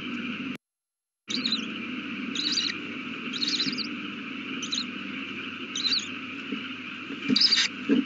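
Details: Owl at its nest with a newly hatched chick, recorded at 8:32 pm on 18 April 2019: short breathy hissing bursts, some closer together, others a second or more apart, over a steady electrical hum.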